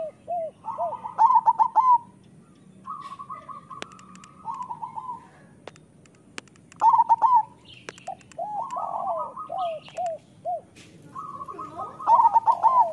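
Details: Group of local zebra doves singing as training audio for lazy singers. Loud stuttered coo bursts recur every five to six seconds between runs of soft, evenly repeated notes and single coos.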